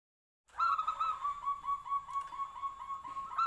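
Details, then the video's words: Local wild-type zebra dove of the Noyorono katuranggan, noted for a big voice, gives a steady run of rolling, low tonal coo notes with a louder note at the start and end. "SUARANYA GEDE PERKUTUT LOKAL ALAM KATURANGGAN NOYORONO"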